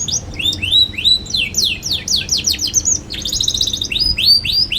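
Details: Young canary kept as a lure to teach other young canaries to sing, chirping hard and steadily: rapid high whistled upslurs repeated about three or four times a second, then a quick bright trill and more rising sweeps.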